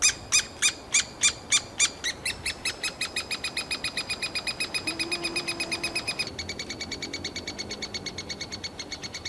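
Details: Begging three-toed woodpecker nestlings in a cavity in summer, urging the parents to carry insects faster: sharp loud notes, then a long rapid even series of bright ringing chips, with a faint low hum in the background.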